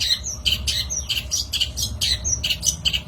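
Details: Long-tailed shrike lure recording: a rapid string of rough, buzzy chattering phrases with a few thin whistled notes mixed in, repeated without pause over low background rumble.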